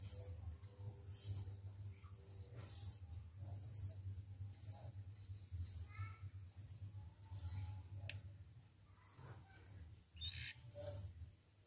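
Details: Begging Oriental magpie-robin chicks, one week old and hand-fed, repeat shrill high arched squeals about every second, with a few softer lower chirps in the middle and a low hum beneath.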